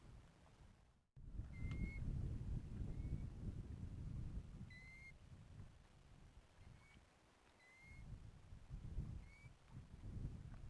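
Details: European golden plovers calling from a hillside below on a mountain walk in Assynt, Scotland. Clear, plaintive single whistles come roughly every one to two seconds, some slightly falling, over heavy gusting wind.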